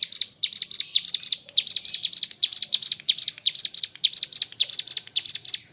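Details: Ciblek gunung, the mountain leaf warbler, in energetic 'gacor ngebren' song: a rapid train of thin, high chirps grouped into quick repeated phrases, clean with no other sounds.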